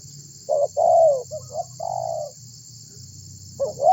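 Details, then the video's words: Spotted dove used for luring other birds to call: a short hooked note, a long drawn falling coo, softer notes, then another coo beginning at the end, over low rumble. "Suara Burung Tekukur Gacor Memanggil Burung Lain Agar Ikut Bunyi"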